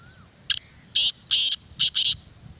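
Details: Black francolin, call for luring wild birds: one crisp phrase of a short sharp opening note followed by four loud, coarse, buzzy syllables, the last two tightly paired.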